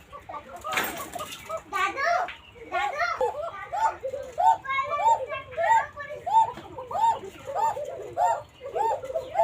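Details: Banshiraj Koka domestic pigeons, kept in a loft at Ilamdahi, Tanore, Rajshahi, Bangladesh, frightened by visitors; thin, flute-like coos repeated in a steady run of rising-falling notes after a brief burst of speech at the start.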